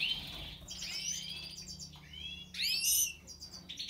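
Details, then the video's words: European goldfinch singing a fast liquid twitter, a steady high trill followed by a loud burst of stacked rising chirps and a brief buzzy note. "Stieglitz Major Weiskehl 🐥 Goldfinch Cardueli طائر الحسون الرائد щегол"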